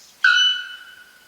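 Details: Bare-throated bellbird, known in Guarani as gura pong and beloved in Paraguay for its call, uttering one loud, sudden metallic 'pong' that rings on and slowly fades.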